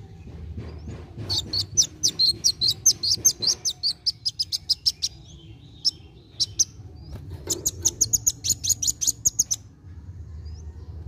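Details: Kolibri wulung sunbird in energetic song, used to prompt young birds to sing: long bursts of rapid, evenly spaced sharp high chips, a short silent gap, then another fast, slightly higher chipping run.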